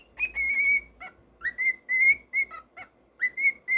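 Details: Pet cockatiel whistling a lively run of clear notes, mostly steady with short upward slides at the start, about ten notes in four seconds, over a faint murmur of indoor background noise.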